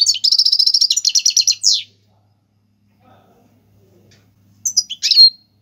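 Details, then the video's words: Goldfinch singing tiwawati galoubi and serfati style, a recording for tutoring young birds: a fast, steady rattling trill of repeated notes ending in a sweeping call, quiet, then a pair of bright twitters. "حسون تيواواطي قالوبي + سرفاتي"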